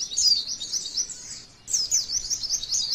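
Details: Short stretch of high, rapid twittering from a female white-eye, the kind of song used to lure other white-eyes into singing, with a brief pause around one and a half seconds between two bursts.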